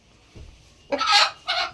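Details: An Aseel rooster from Delhi gives two loud, harsh, raspy crowing bursts about half a second apart, with a soft low thump just before.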